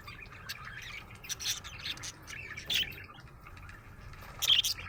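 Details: Chirping from a happy budgie: short, bright, high tweets in loose bursts, with two sharp squeaky accents spaced a couple of seconds apart, against a soft low hum.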